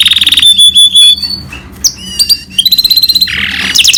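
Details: Song of a goldfinch × canary hybrid, mixing fast high trills with clear pure whistles, abrupt rising and falling notes and short pauses, ending in a lower buzzy rattle and a bright trill.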